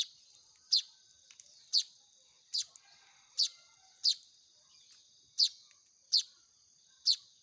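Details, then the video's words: Begging nestling Baya weavers during hand-feeding, eight bright, sharp chirps repeated about once a second over a steady thin high tone, with faint clicks in the pauses. "SUARA ANAKAN BURUNG MAYAR"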